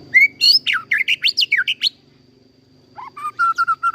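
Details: Captive-bred white-rumped shama singing loud, varied whistled phrases: a rising note, then rapid zigzag slurred notes swooping up and down, a pause, then a burst of repeated short clear whistles on one pitch.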